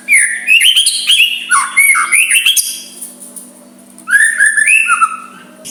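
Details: Gentle song from a white-rumped shama, used to goad an opponent into emotional back-and-forth singing: rich, rapid whistled phrases with slurred and falling notes, a brief lull, then another run of varied whistles.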